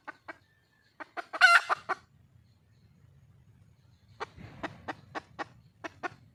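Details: Wild red junglefowl hen calling for a male: short clucks repeated, then a brief loud harsh squawk, a quiet pause, and a fresh run of evenly spaced sharp clucks.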